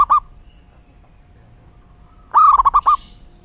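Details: Zebra dove, a local bird, with the tail of one phrase, a long quiet pause, then a full song phrase of six rapid, beaded coo notes that rise briefly before rolling on at one pitch.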